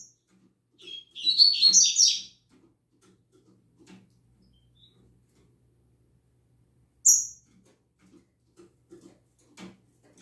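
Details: Caged double-collared seedeaters singing in the morning: one rapid, buzzy, twittering phrase of high notes lasting just over a second, then a lone sharp high note, with soft low knocks and rustles in a quiet room.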